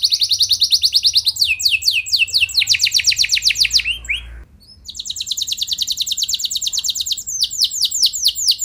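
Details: Canary song used to provoke other canaries into singing; very fast buzzy trills alternating with slower descending sweeps, a short pause midway, then a long rapid roll resumes.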